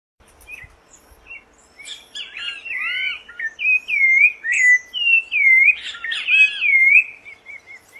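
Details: Rufous-bellied thrush singing free in nature in Brazil: a flowing run of clear, slurred whistled phrases, rising and falling loops repeated about twice a second and building in loudness, in a quiet setting.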